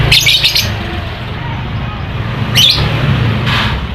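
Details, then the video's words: Lovebird sound used as a lure to make lazy lovebirds sing and to provoke other lovebirds. Short bursts of shrill, rapid chirps come at the start, around the middle and near the end, over a steady low rumble like an engine. "Pancingan Lovebird Malas Bunyi, suara burung lovebird bikin emosi lakbet lain"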